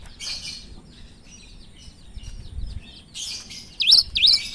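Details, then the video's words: Cinereous tit in full song with odd-sounding notes. Scratchy rustling and flutter fill most of the stretch before two bright, swooping whistled notes ring out near the end. "Gelatik batu gacor suara aneh"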